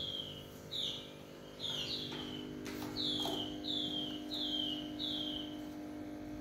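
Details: Chinese hwamei singing in the evening, heard somewhat distant over a steady hum: clear, downward-slurred whistles repeated at an even pace, with a couple of sharp clicks in between.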